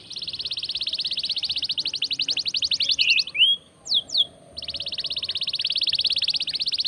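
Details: Canary in full song, used as a lure to set other birds singing: long, even, rapid pulsed trills broken midway by a few sharp sweeping whistles before the trill resumes.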